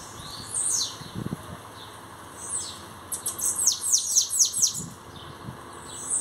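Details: Newly arrived bananaquit kept as a singer, showing its qualities: brief high squeaky notes, then a dense burst of sharply descending thin sweeps repeated several times per second, with a few low knocking sounds in between.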